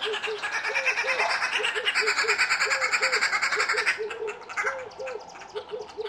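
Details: Red-billed wood hoopoes at their chicks: a loud, harsh chattering cackle of fast repeated notes runs for about four seconds, then breaks into shorter bursts. Low, soft double hoots repeat underneath throughout.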